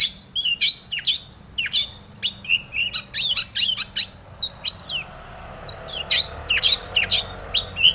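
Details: Long-tailed shrike in energetic song full of fill-in phrases, used to provoke other shrikes to sing: rapid mix of sharp chips and short whistled upslurs and downslurs, uneven bursts a few per second, with quieter gaps near the middle.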